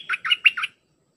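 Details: Short fragment of red-whiskered bulbul song, played to teach hand-fed and young birds: four rich, slightly buzzy whistled notes in quick succession, the third brightest, ending abruptly into silence.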